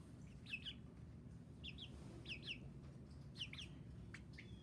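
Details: Chicken chicks giving sparser high peeps: short downward-sliding cheeps in pairs roughly every second, separated by quiet gaps, over low steady background noise.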